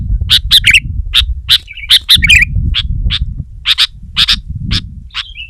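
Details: Sooty-headed bulbul in vigorous song aimed at a rival: irregular sharp chirps mixed with short warbled bursts, over noticeable low rumbling noise throughout.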